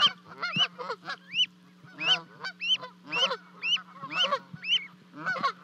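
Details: Two Canada goose goslings with their parents at a 30-foot-high nest in Charlo, Montana, on 12 May 2020, as the goslings leap down to join the adults; shrill rising peeps repeated rapidly, about two per second, mixed with lower honking notes.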